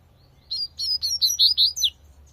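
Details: Wild double-collared seedeater singing the tui tui song style in nature: a quick run of about seven bright, high chirped notes, each sharply rising then falling, delivered in an even burst lasting under two seconds.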